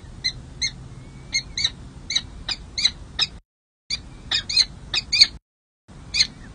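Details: Harsh, rasping notes repeat roughly every half second in short runs, broken by brief pauses. They come from peregrine falcons at a nest on San Jose City Hall, California, on 2 May 2024, as the second chick hatches and the male first feeds two chicks.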